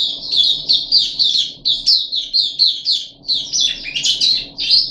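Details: Puff-backed bulbul in a cage, third day of a deworming course, 14 July 2021: rapid chattering notes repeated over and over, with a burst of louder, wider, harsher notes near the end. A low hum runs throughout.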